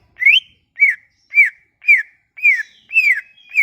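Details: Sumatran leafbird singing a lure phrase for leafbirds that have gone quiet: a brisk run of seven bright whistled notes, one upward sweep followed by downward-curving slurs, repeated roughly twice a second against a silent background.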